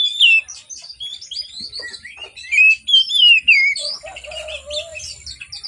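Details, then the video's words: Morning song of an Oriental magpie-robin, meant to lure hesitant birds into singing: rich sliding whistles and quick twittering phrases, ending in a lower, softer warbled passage. "Kacer Gacor Di Pagi Hari, Pancingan Kacer Sulit Bunyi dan malas Bunyi"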